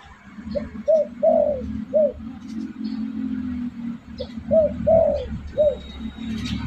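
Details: Spotted dove lure call used to attract birds: soft arched coos in a short series, two phrases of about five notes, with a steady low hum and faint music underneath.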